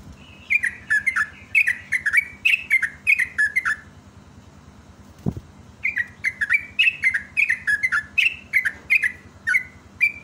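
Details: Lure recording of a yellow-vented bulbul singing busily: rapid chains of gurgling, warbled whistles in two long bursts separated by a short pause with one soft thump, steady low hum underneath.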